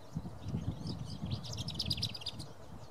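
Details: A lesser whitethroat gives a quick burst of dry, rattling notes on one high pitch, over a steady low rumble of wind or distant traffic; recorded 28 April 2017 at Hästhagen, Kalmar, Sweden.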